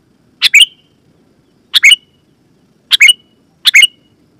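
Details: Sooty-headed bulbul giving four loud, clear two-note chirps with short trailing whistles, roughly a second apart, a sound used to call wild bulbuls and set caged birds singing; faint low background rumble.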